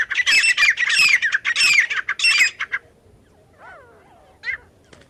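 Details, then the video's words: Partridge call used as a lure for catching partridges, from India: a loud, harsh, rapid chattering series of squawking notes for nearly three seconds, then quieter scattered high chirps and faint background. "तीतर पकड़ने की आवाज"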